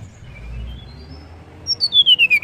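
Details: A female banded pitta gives a call to rouse males: a long descending whistled sweep that breaks into rapid pulsed beats, after a quiet murmuring lead-in.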